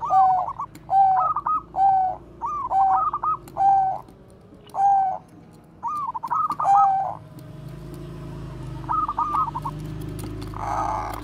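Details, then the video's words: Bangkok zebra dove singing its bekur koar-koar cooing as a training lure: short rolling, bubbly coos repeated about every second in a steady series, then a fainter trilled phrase over a low background hum. "perkutut BANGKOK BEKUR KOAR-KOAR bagus untuk PANCINGAN PERKUTUT"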